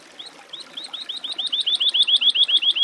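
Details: Woodlark delivering an accelerating, crescendoing series of sweet, rising whistled notes, starting slow and soft and becoming a fast, loud, even trill of about twenty notes.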